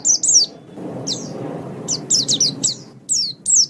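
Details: White-eye in a master training recording, giving spaced bursts of high twittering downslurred notes separated by short gaps, against a soft low background hiss.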